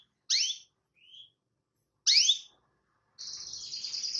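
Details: Canary calling a rival with two loud forked downward chirps two seconds apart, a soft rising whistle between them, then a steady buzzy trill starting near the end.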